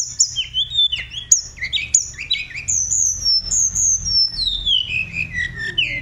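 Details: Tledekan songbird used as a 'vocal teacher' sings clear slurred whistles, some rising, some falling, followed by a long gradually descending phrase of linked whistled notes.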